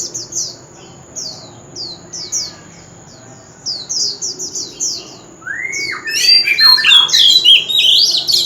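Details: Old wild oriental magpie-robin singing loudly at a street corner: a run of quick, high downslurred whistles, then a louder burst of varied, twisting warbled phrases near the end, over a steady thin high tone.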